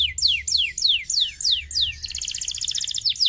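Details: Canary idler song for singing practice: evenly spaced high whistles sliding steeply downward, followed by a fast, even buzzing trill and two closing sweeps, with a faint low hum.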